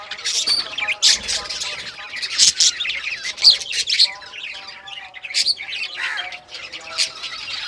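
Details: Several budgies of rare colours at play with toys give loud scratchy squawks and high chirps in irregular bursts, separated by quieter stretches of soft chatter.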